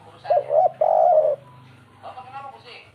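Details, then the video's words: Spotted dove, "kuk 3" song style: a double coo and a long sustained note, followed by indistinct human speech and a low hum. "suara burung derkuku kuk 3 pembawa hoki nyata"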